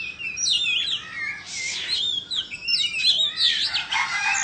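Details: White-rumped shama of Indonesian origin singing during a fanning dance, mixing high whistled phrases with harsh, buzzy bursts and scratchy notes in an irregular, varied sequence.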